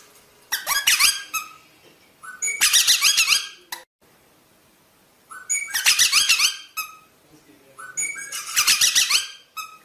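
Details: Rosella giving bursts of squeaky, warbling chatter mixed with short whistles, in four busy phrases separated by brief pauses.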